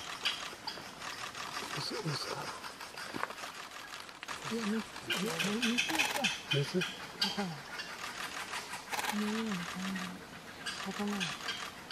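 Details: Japanese green woodpecker chicks in the nest on Mount Rokko, 1 July 2017, the day before they fledged, keep up a dry, ratchety rasping of harsh clicks. Low human voices talk over the second half.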